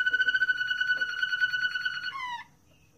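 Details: Moroccan Malinois canary singing a rich, rolling tour of rapid pulsed notes at a steady pitch for two seconds, ending in a short falling slurred phrase, then quiet indoor room.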